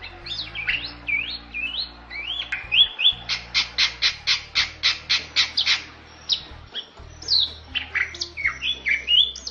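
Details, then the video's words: Bali myna, a rare and protected bird that is becoming scarce in the wild, sings a loud, varied song of harsh squawks and rising whistles, with a run of about ten rapid, evenly spaced clicks mid-song, over a faint low hum. "MERDU KICAU JALAK BALI"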